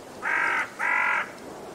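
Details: Common raven (Corvus corax) gives two harsh, hoarse calls, each about half a second long, one right after the other, over a faint background hiss.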